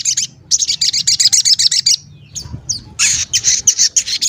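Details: Lively crested jay calling to provoke rival jays into answering: two bursts of rapid harsh rattling chatter separated by a short pause with faint low background noise.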